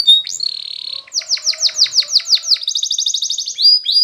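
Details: Spanish Timbrado canary song for training canaries. Steady whistled note, a series of rhythmic bubbling strokes, then a fast, even high trill and short closing whistles.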